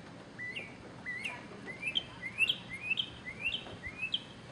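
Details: Singing male mockingbird at Okeechobee: one short upslurred chirp repeated about seven times at even half-second intervals, each sharp and rising, over a steady hiss of background noise.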